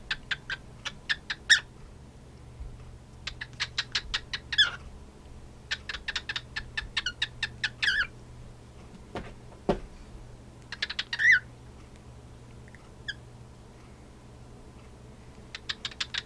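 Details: Two male cockatiels, a pied and a white-faced, "duel" by trading bursts of sharp, rapid chirping notes, with short pauses between each volley.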